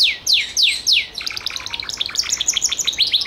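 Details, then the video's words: Gloster canary song with four loud downward-sliding whistles followed by a softer, rapid series of high twittering notes. "CANARIO GLOSTER"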